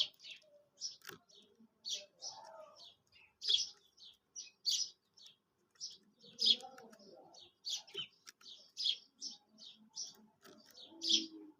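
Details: Quail call used in hunting and trapping: sharp high chirps repeated roughly every second in a steady series, with faint low murmuring in the background.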